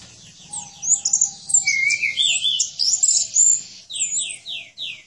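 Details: Caged orange-headed thrush song for tutoring other birds: a continuous rapid medley of high, squeaky whistles and slurred chirps, ending in a series of descending sweeping notes repeated about every half second.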